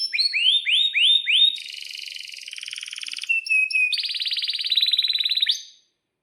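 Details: Canary song meant as a lure and training model for other canaries: looping rising whistles, then a fine buzzy roll, a few steady pure tones, and a dense rattling trill that fades out.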